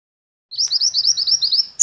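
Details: Minivet, known locally as mantenan or sepah, gives a rapid series of about a dozen short, high, upslurred chirps in a lively chattering run, followed by a sharp click at the end.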